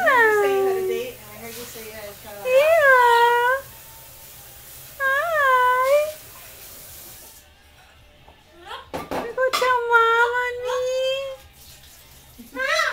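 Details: Pet female double yellow-headed amazon indoors, with children nearby, giving long whining calls like "MAAAAA" that fall and then level off, repeated several times, followed by a jumble of clicks and a long drawn-out call.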